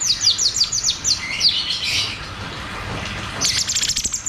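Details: Cucak cungkok 'ngeroll tembak' song used to prompt silent caged birds to sing: a quick series of high, sharp descending chirps. A short pause follows, then another burst of bright, rapid notes.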